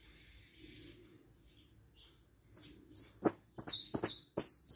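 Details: After faint thin notes and a quiet pause, a hooded siskin bursts into loud, high, buzzy twittering, a quick series of scratchy downslurred notes.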